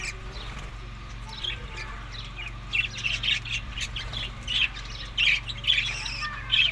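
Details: Budgerigars at summer food in Larkana, Sindh: scattered short chirps and squeaky notes, sparse at first then more frequent, over a steady low hum.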